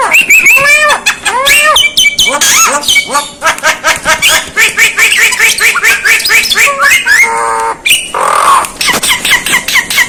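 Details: Asian pied starling giving strange, unusual sounds: a loud, busy run of varied whistles, rising and falling squeals, harsh squawks and rapid clicking notes, with a brief noisy rasp near the end.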